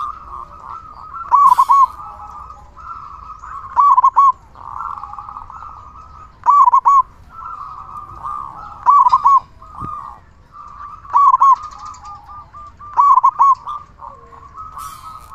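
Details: Loud, frequently singing local zebra dove used as a lure for other zebra doves. Seven bursts of rapid, rolling coo notes repeat roughly every two seconds, joined by steady, softer cooing.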